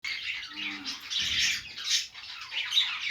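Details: Pet budgerigars, described as happy and playing, give a dense stream of high, scratchy chirps and warbles that rise and fall in bursts, with a few brief lower tones near the start.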